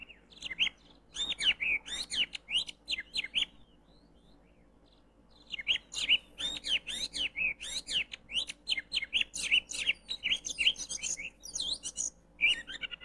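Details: Oriental magpie-robin sound used in Indonesia as a lure for trapping birds: dense bursts of varied chirps, whistles and buzzy trills, delivered in rapid phrases with a short pause near the middle, then resuming in a busy, nearly continuous stream.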